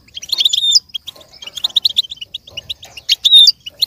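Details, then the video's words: Goldfinch song: rapid, liquid twittering with tinkling notes and short buzzy trills, bright and high, running continuously with no other sounds; used as stimulation for goldfinches to learn and imitate. "With stimulation for the goldfinch to learn and imitate sounds"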